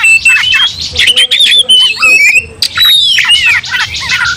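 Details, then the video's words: Oriental magpie-robin provoked into fighting, its song setting off other magpie-robins: clear downslurred whistles and squeaky notes separated by raspy bursts, loud throughout with a short pause midway. "Kacer langsung TARUNG bongkar emosi bikin kacer lain ikut dongkrak amarah kesurupan"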